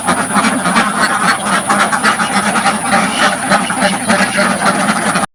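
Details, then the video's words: Crowded duck pen on a village farm, many ducks calling close up: a constant jumble of loud, raspy quacks overlapping rapidly at roughly three to four per second, steady throughout before stopping abruptly at the end. "LOUD Duck Sounds from the Front of the Pen"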